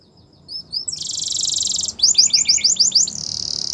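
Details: Morning singing from a yellow canary: a few soft notes, a loud sustained buzzy trill, a burst of rapid chirps and another steady rolling trill.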